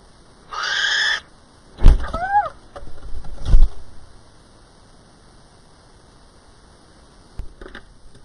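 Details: Little owl on 28 April 2010: a brief hiss, then loud knocks and two or three quick, downward-curving mewing notes, then a quieter stretch with one more faint knock.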